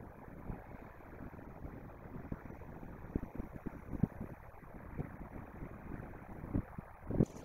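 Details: Low rumbling background noise runs throughout with scattered soft knocks and thumps, and no animal call stands out.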